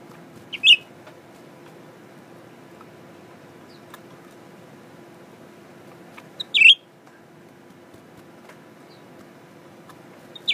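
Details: Newly kept male Blue-winged Leafbird in a cage, singing toward a mirror: sparse bright, high chirps roughly every six seconds, each a quick cluster of sharp notes, over a quiet room with a low hum.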